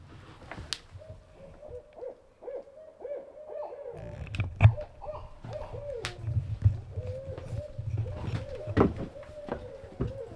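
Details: Owls hoot in the woods in a steady series of mid-pitched notes, roughly one every two seconds, which a listener likens to 'who cooks for you'. Low background rumble and a few sharp knocks are also heard.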